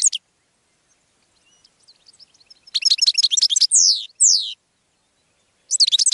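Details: Faint scattered twitters build into a loud, rapid goldfinch phrase broken by two sweeping downward slurs, followed by a pause and a fresh burst of bright chirping at the close.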